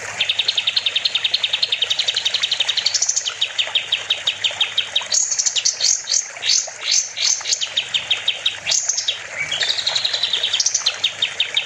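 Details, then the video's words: Kapas tembak, the sooty-headed bulbul, singing energetically for songbird training: fast even trills of high chipping notes, broken by bursts of steep upward-swept notes and short rising phrases. "Kapas tembak gacor || Masteran burung"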